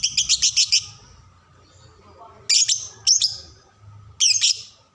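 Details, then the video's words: Lovebird chirping as a teaching model for young birds: a quick burst of five rapid high notes, silence, then three separate harsh chirp clusters. "masteran paud belajar bunyi"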